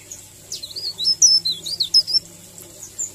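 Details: A leaf warbler's sweet rolling 'ngerol' song used for masteran: brisk series of bright, high, twisting whistles and short chips, roughly a dozen notes, over a faint steady low hum.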